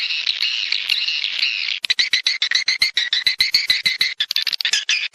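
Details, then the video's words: Swiftlet attraction call for a nesting house: a dense, high, buzzing chatter gives way to quick uneven clicks mixed with harsh chirps, over three per second. "SUARA PANGGIL BURUNG WALET MENGAWAN ASLI / HOW TO CALL SWIFT BIRDS"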